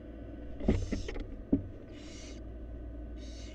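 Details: Wild barn owls at a nest box in Florida, where a fourth nestling has hatched: two breathy broadband hissing bursts in the second half, after a few low knocks and bumps, over a steady low hum.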